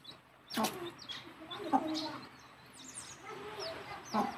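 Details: A mother hen calls her chicks back to the nest for roosting, giving low, soft clucks while the chicks' thin, high peeps rise and fall behind her.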